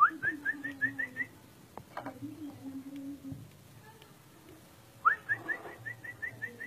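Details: Orange-spotted bulbul giving two phrases of short bright whistled notes, each a quick upward slur repeated about four times a second, separated by a gap filled with low hum and soft murmuring.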